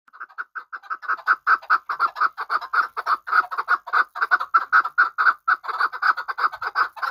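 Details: Hunting chukar partridge from Qabodiyon gives a long, steady run of clucking chuck notes, about three or four each second, evenly paced and mid-pitched, with a clean quiet background.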